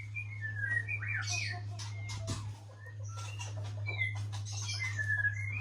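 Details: White-rumped shama of the Aceh type singing during pairing: varied clear whistled notes, some rising and falling slides, in quick irregular phrases, against a strong steady low hum and bursts of clattering noise.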